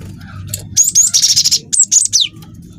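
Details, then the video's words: A young, vigorously singing cinereous tit, recorded as a lure for other birds: a quick string of bright high chips merges into a rattling roll, then ends in sharp descending whistles, all within about two seconds. "PANCING BUNYI GELATIK BATU GACOR WINGKO"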